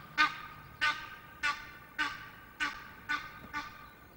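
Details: Egyptian goose at Loch of the Lowes, Scotland, 5 March, recorded by webcam: a series of seven sharp, descending honks spaced about half a second apart, each one bright at the start and fading quickly.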